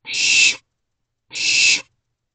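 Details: Owlets inside a nest box at night, 1:56 am, 28 May 2023: two harsh, breathy hissing screeches, each about half a second long, separated by roughly a second of silence.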